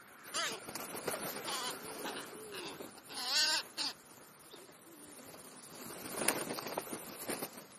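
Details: Feeding crow giving soft, wavering, warbled calls in short bursts, three main phrases spaced about a second apart, with a louder rippling note in the middle and faint outdoor noise.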